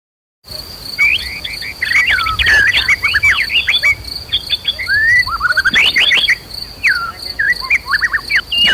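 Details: A fierce white-rumped shama pours out dense song used to stimulate a fighting mood in other birds. It delivers rapid, tumbling, varied whistles and chatters, with a steady high insect tone running underneath throughout.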